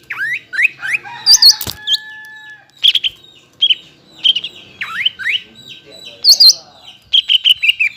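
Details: Lure recording of greater green leafbird song meant to set untrained and flock-kept birds singing; short rising whistles and bright chirps come in spaced bursts, one sharp click near the start, a thin steady tone behind.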